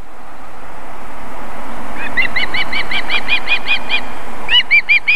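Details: Osprey female at the nest while feeding chicks, South Estonia, Võrumaa, evening of 31 July 2021; after a low rumbling background, a quick series of clear piping chirps begins, pauses briefly, then resumes with louder whistled notes.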